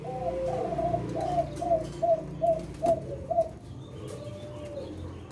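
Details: Spotted dove of the Leopard type, singing actively in the kuk 6 song style, in Indonesia: a series of about seven short, soft, hollow coos, evenly spaced about half a second apart, over a low background hum.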